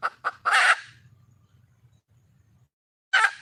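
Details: Red junglefowl hen, wild, calling to find a male mate: two short clucks lead into a loud, harsh, rasping squawk, a quiet pause, then another harsh squawk.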